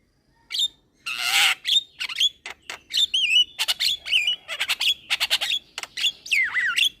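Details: Young Javan myna in full song, nodding its head: after a brief silence a loud scratchy squawk, then a busy run of clicks, short rasps and wavering whistles, ending in a looping descending-rising whistle.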